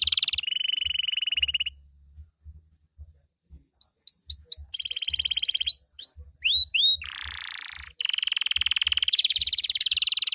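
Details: Loper canary in full night song: a dense buzzy high trill, a pause, then a run of clear upward-sweeping whistled notes and a rolling lower trill, ending in another long intense rattle.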